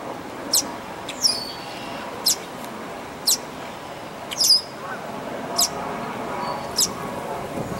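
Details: Thin, high-pitched peeps from red-winged blackbird chicks in the nest at Dufferin Islands, each brief and sharp, repeated roughly once a second over a soft background hiss.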